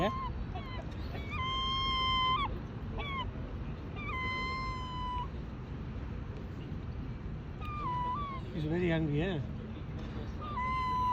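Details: Hungry seagulls screaming in Bournemouth: a series of long, steady, nasal cries with abrupt downturned ends and short yelps between them. A person speaks nearby, with traffic-like rumble underneath.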